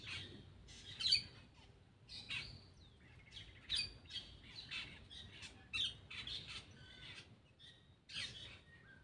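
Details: Black-winged myna calling as it eats: loud scratchy squawks and short chattering bursts separated by quiet gaps, now and then a thin whistle.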